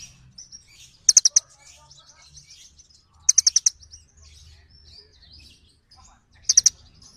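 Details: Small birds calling each other, three short bursts of quick high chirps spread apart, with soft faint twittering in the gaps and a low rumble in the background.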